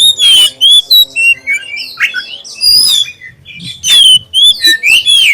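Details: Lure song of a black-chested oriental magpie-robin, used to draw other magpie-robins into singing: loud, clear whistled phrases with sweeping slurs and sharp chips, delivered in bursts separated by short pauses, with a faint steady hum beneath.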